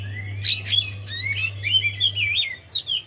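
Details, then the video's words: Javan white-eye singing, recorded for use as a lure to coax a reluctant bird into song: a continuous, lively stream of high, sweet, warbling whistles rising and falling quickly, faint low hum at first. "Pas Banget#Buat Pancingan Untuk Poci Yg Malas Bunyi"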